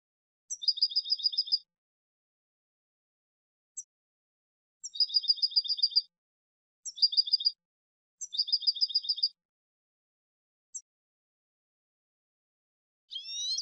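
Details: Goldfinch singing in four short bursts of fast, ringing, two-toned trills, each about a second long, separated by pauses and single thin high notes, with a rising twitter at the very end.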